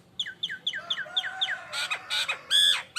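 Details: Nias hill myna lure song from a lively bird in full voice: a fast series of short downward-slurred whistles, about six evenly spaced, followed by harsh broadband squawks and loud nasal notes.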